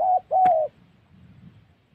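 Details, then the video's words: In Gia Lai's Central Highlands forest, a spotted dove targeted for trapping gives a brief coo and then a longer sustained one, marked by a sharp click. Quiet low background noise follows. "Bẩy Cu Gáy"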